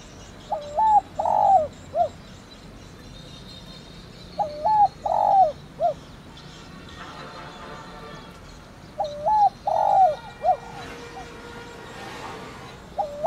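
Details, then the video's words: Spotted dove calling in the thổ đồng style for luring: three full coo phrases spaced about four seconds apart, each of rounded hoots ending in a clipped note, with faint background hiss and murmur. "Cu gáy THỔ ĐỒNG GÁY GỌI kích bổi nhanh nổi hiệu quả"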